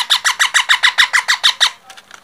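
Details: Baby parrot giving a rapid, steady series of about ten harsh, raspy squawks, trailing off into a few softer calls.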